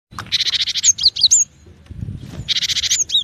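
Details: Cinereous tit: two dense buzzy churring bursts, each about a second long, separated by a few sharp rising and falling whistled notes, with a faint low rumble beneath.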